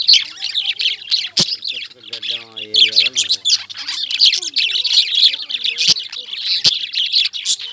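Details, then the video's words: Constant high, scratchy chirping from a group of Indian lovebirds, with a few sharp clicks. A low wavering voice or melody drifts underneath in the middle and later part. "Love Birds Chirping"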